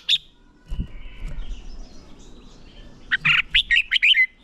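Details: Red-whiskered bulbul training song, used to stir bulbuls into lively competition singing: a single sharp note, a soft knock, a quiet pause, then a quick burst of about seven bright, chirpy whistled notes.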